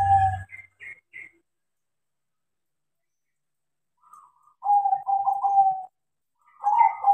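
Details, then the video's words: Crossbred perkutut zebra dove in eager song after training: brief higher chirps at the start, then, after a silence, rolling trilled coos on one pitch in two phrases. "PERKUTUT CROSSING GACOR KARENA DIAJARI"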